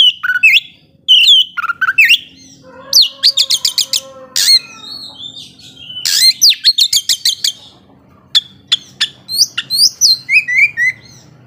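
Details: Oriental magpie-robin in full, vigorous ngobra-style song meant to provoke rival magpie-robins: loud varied whistles, sweeping slurred notes and rapid clusters of sharp clicking chips, delivered in bursts with short pauses.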